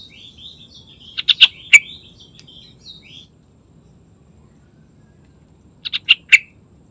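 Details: Busy morning song of a yellow-vented bulbul: a low warbling chatter leading into a loud three-note bubbly phrase, a pause, then a second rapid burst of liquid notes.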